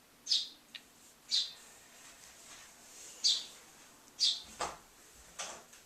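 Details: Young starling begging to be fed after a door shut cue; high hissy calls roughly once a second, mixed with knocks and handling sounds.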